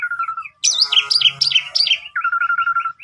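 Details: Asian pied starling singing a gacor, full isian song, used as a lure for other starlings: low whistled trills, then a rapid series of high buzzy, wavering notes, ending in repeated chirping notes.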